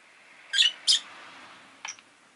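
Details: Pet rosy-faced lovebird giving two harsh, high, buzzy chirps in quick succession, then a shorter sharp chirp about a second later, over a faint steady background hum.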